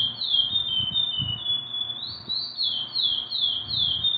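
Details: Curió song of clear whistled notes, a steady tone followed by a rising note and a run of descending slurs repeated roughly every third of a second, over light low-frequency background noise.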